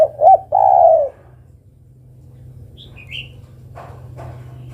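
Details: Female spotted dove calling the male: a short low note, then one long, mellow coo that slides gently downward. Quiet low hum underneath, with faint higher chirps afterward.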